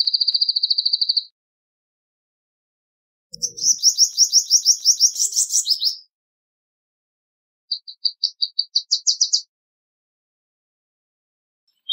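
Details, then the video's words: Male Palestine sunbird: a rapid high trill, then a longer rattling run of bright repeated notes, then a series of sharp chips ending in buzzy bursts, with quiet gaps between phrases. "Suimanga Palestino Canto! Suimanga Palestino Llamado! Voz! - Palestine Sunbird Song"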